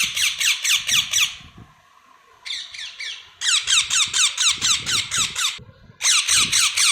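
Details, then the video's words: Baby parrots producing repeated harsh, pulsing chirps in several sustained bursts, each note evenly spaced, with brief quieter pauses between the runs. "Baby parrots chirping"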